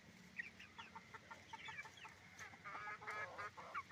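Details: Chicken farm noise from roosters and hens: clipped, high chirps at first, then fuller, harmonic, nasal clucking calls build toward the end over a low background hum.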